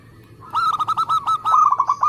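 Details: Zebra dove, local Indonesian type, singing eagerly for use as a trapping lure and to spur other doves to sing; an unbroken, rapid run of about a dozen rolling, rhythmic coo notes.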